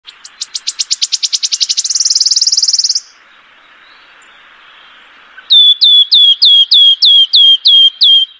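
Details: Wood warbler (Phylloscopus sibilatrix), a summer breeder in the UK: high ticking notes speed up into a dry, shivering trill, then after a pause about eight clear, falling 'pew' whistles.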